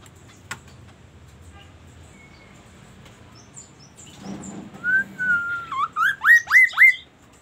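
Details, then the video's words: Magpie-robin giving thin high notes and a drawn-out whistle before a sharp sequence of about six swooping notes delivered quickly and evenly. "KASO KASO Berbunyi MURAI"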